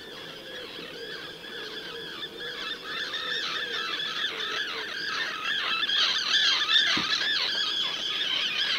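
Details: Arctic terns in the Orkney Islands, Scotland, call in a busy chorus: harsh, grating, high-pitched overlapping cries from many birds, the din building steadily.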